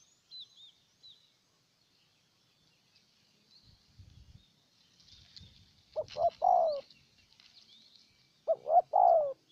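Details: Decoy spotted dove in Ninh Thuận, Vietnam, calling to attract a wild bird. After quiet with scattered thin chirps and rustles, two low coo phrases arrive near the end, each a few quick short notes then a drawn-out falling coo.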